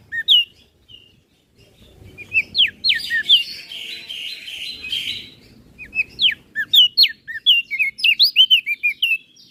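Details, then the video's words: Crested white-eye from Flores singing 'gacor isian' style for master training of kecial birds: scattered high whistles, a dense warbled passage, then a quickening series of sharp slurred notes. "Burung Opior Jambul Flores Gacor Isian - Masteran Burung Kecial Suara Besar"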